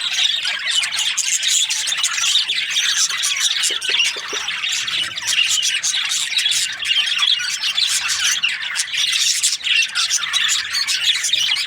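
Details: Many budgerigars kept as breeding pairs chatter nonstop, harsh squawks and quick chirps layered into one high busy chorus.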